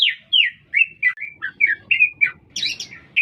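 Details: Short excerpt of a green leafbird singing constantly in a city: liquid slurred whistles, each dipping and rising, delivered in quick succession and closing with a brighter, higher squeaky flourish.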